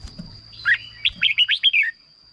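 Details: Red-whiskered bulbul phrase for stirring birds or decoying: a swooping whistle followed by a quick run of five fluty, bouncing notes ending in a falling slur, with a faint continuous high whine.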